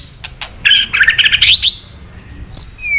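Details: White-rumped shama, a male bird's kretekan sound meant to provoke other males into song: a few sharp clicks, then a fast buzzy chattering trill of stacked notes for about a second, ending with a high clear whistle.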